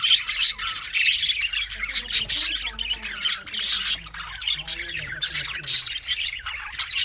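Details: Budgies squawk and chirp in loud clustered bursts, a busy high chatter rising and falling against a faint low tonal background.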